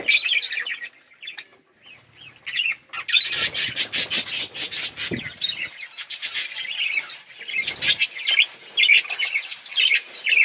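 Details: Budgerigars at play and feeding, with a few scattered chirps at first, then sustained rapid scratchy chatter and warbling by several birds.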